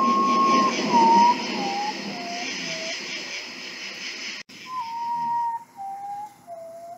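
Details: Common potoo, called guajojó, nictibio, urutaú or ghost bird: mournful whistled notes falling in steps from high to low, the descending series heard twice with a brief break between, over a steady broad background hiss.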